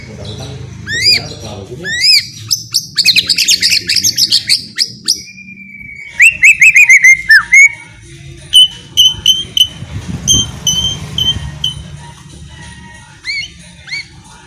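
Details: White-rumped shama song used as a lure to get a quiet, hesitant bird singing loudly; varied whistles, rising and falling slurs, and rapid repeated chips and trills, with a buzzy phrase and low background rumble.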